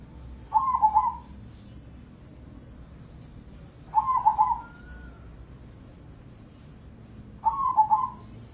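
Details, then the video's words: Zebra dove (perkutut crossing) from Indonesia, a contest bird that sings morning, noon and night. It delivers three rolling, bubbling coos at steady gaps of about three and a half seconds over a low background hum. "Pancingan Pekutut Crossing Gacor Dorr"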